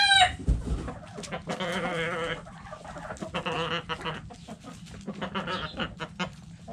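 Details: Backyard coop hens give busy overlapping clucks and drawn-out cackling notes, with scratching and rustling underneath.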